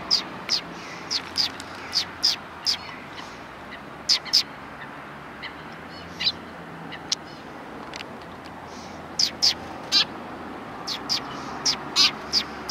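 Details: A flock of sparrows at a Tenmangu shrine on 3 January 2020 calls with scattered thin, high chirps, sometimes in short runs of three or four, amid a constant low outdoor rumble.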